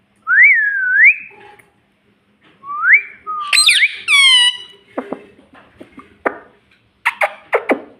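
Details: Pet ring-necked parrot giving two whistled rising-and-falling notes, then a burst of squeaky, speech-like syllables, followed by sharp clicks and taps.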